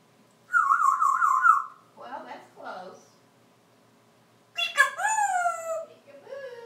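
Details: Male African grey parrot, live on a porch after its owner goes inside, vocalizing: a steady whistled tone, then rough gravelly sounds, then harmonic calls sliding downward, with a fainter low note at the end.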